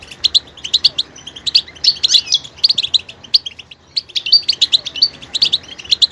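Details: Goldfinch adding various vocal details to its song, quick bright twitters and chirps in an almost unbroken chatter, with a brief pause midway.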